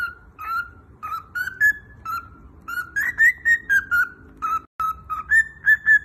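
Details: A cockatiel whistles a learned tune in clear, pure notes, some held and some rising in quick bursts.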